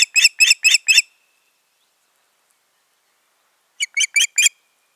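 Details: Ospreys, a pair at their nest, 14 June 2019: a burst of five loud, shrill whistled yelps in about one second, a long silence, then a softer run of five similar piercing notes.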